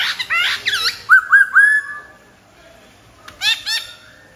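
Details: Black-throated laughingthrush singing: rough, chattering notes, then three clear rising whistles in quick succession. After a quiet gap, another short burst of harsh notes follows.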